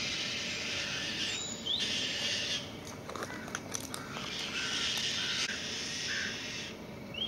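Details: Very vocal white-tailed kite chicks that have just learned to fly, leaving and returning to the nest, give harsh, raspy, grating calls in drawn-out bursts of one to two seconds over a steady high-pitched insect whine.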